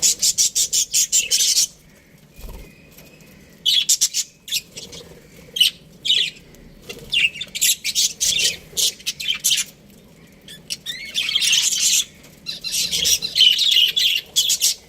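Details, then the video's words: Australian budgerigar breeding pair calling in separate bursts of rapid, raspy high chirps, roughly 167 notes a minute, with clear silent gaps between phrases. "Budgies Parrot chirping sounds | Australian budgies breeding pair"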